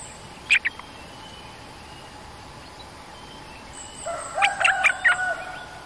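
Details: Cream-vented bulbul, a territorial resident bird, calling during lure trapping beside a cage. Two sharp short notes come early, then after a quiet gap a quick burst of harsh, chattering notes, with a faint steady high whine behind.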